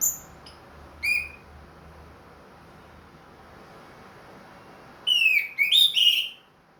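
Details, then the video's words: Ring-marked orange-headed thrush kept in a cage, back to regular singing after moulting: two isolated high whistled notes, then after a pause a tangled burst of sliding, warbled whistles. "MERANGSANG ANIS MERAH BUNYI PLONG"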